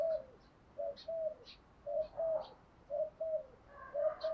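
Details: Spotted dove cooing, used to train and provoke decoy birds into calling. Low, faint paired coo notes repeat roughly once a second over background hiss, with brief higher chirps from other birds above.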